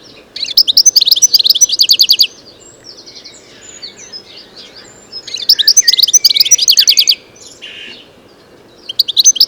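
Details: Wild European goldfinch singing in nature, a bird known locally as Arous al-Turkman and Taqtaq Shouk; fast, bright twittering phrases of rapid ticking notes and buzzy trills, delivered in bursts a few seconds long with softer warbling between.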